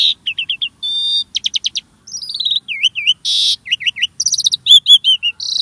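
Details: Starling singing, a recording meant to prompt caged birds into song: quick series of looping whistled notes, short repeated ticks, a harsh buzzy burst, dipping V-shaped whistles and piercing high chips, all delivered in fast succession.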